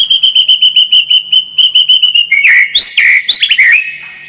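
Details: White-rumped shama song used as a lure to make the bird more combative: a fast run of repeated sharp chirps on one pitch, then varied whistled swoops and rising slurs.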